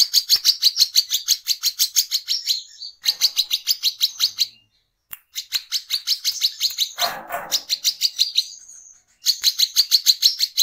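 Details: Lure recording of a brown-throated sunbird (local name wiceh) in full ngecret ngeplong song: bursts of rapid, high, metallic chips, about three per second, broken by short pauses, with one brief lower rushing noise midway.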